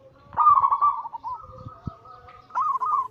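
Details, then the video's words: Cooing anggungan of a perkutut (zebra dove): one loud trilled coo that tails off into a quieter level note, then a second rolling burst starting near the end. "Masteran Pancingan harian burung perkutut Anggungan paling ampuh langsung emosi gacor"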